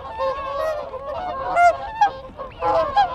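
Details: Whooper swans within a group giving contact calls close to the microphone: distinct, loud bugling honks in short bursts about every half second, with softer honking of Canada geese and wigeon behind.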